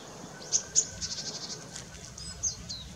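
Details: Long-tailed rosefinch, male and female, recorded 20 December 2016: a series of short, very high thin call notes, two louder ones near the start and softer ones following, over faint low background hum.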